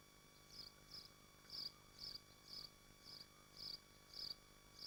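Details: Swifts at their nest in Machynlleth, Dyfi Biosphere, on a livestream nest camera: shrill, buzzy high screams in short bursts, about nine in five seconds at a fairly steady pulse, over a faint electrical hum.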